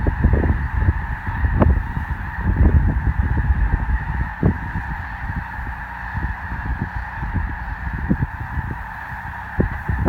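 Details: Snow geese flock stopping during migration at Columbus, Nebraska; a dense, continuous chorus of overlapping honks forms a steady clamor, with heavy low wind rumble and thumps throughout.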